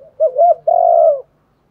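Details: Spotted dove cooing for stimulating decoy doves: two short rising-falling coo notes, then one long, steady, slightly descending coo lasting about half a second. No other sounds.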